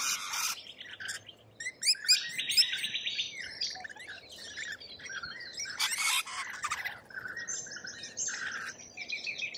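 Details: Australian lorikeets calling in a group: loud rasping screeches and sharp chirps in rapid, irregular bursts, overlapping harsh buzzes, some louder outbursts near the start and middle, a quiet natural background.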